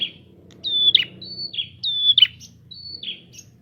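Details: Prinia song played to provoke other prinias: rapid phrases of high flat whistles ending in buzzy, crackling notes, alternating with short level whistles, over a faint low hum.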